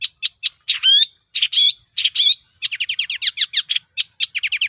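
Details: Lively long-tailed shrike song used as a lure for rival birds: clipped harsh notes, a few ringing whistled phrases, then a rapid string of short rasping notes, clean and close.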